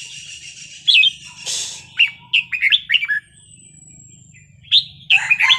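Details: Red-whiskered bulbul singing wild-style: a sharp burst of hiss, then a lively string of short, bouncy whistled notes, a thin drawn-out whistle, and a final cluster of bright chirps, with a low hum underneath.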